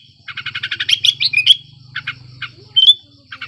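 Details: Sooty-headed bulbul in breeding condition, a lure for silent birds: fast buzzy chatter swells into louder whistled notes, then sparse trills and a single sharp upslurred whistle, with a steady low hum behind.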